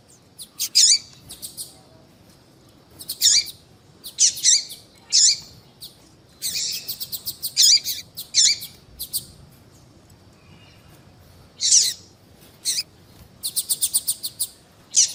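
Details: Long sequence of female double-collared seedeater calls used to excite a male into song. Repeated buzzy, high chirps come in clusters, with rapid ticking runs and a pause near the middle.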